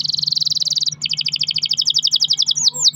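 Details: Domestic canary singing a long rolling song used as a lure to prompt other canaries to sing: rapid high trilled rolls, a fast even buzzy trill shifting into a pulsed, slightly lower roll, ending in upward sweeping whistles; faint low hum beneath.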